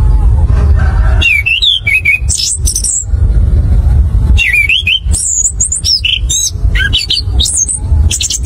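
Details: Orange-headed thrush (anis kembang) in a lure recording to prompt caged birds to sing quickly in a rolling, open style; bursts of sharp, varied whistled phrases, rising and falling high, over a constant low rumbling hum.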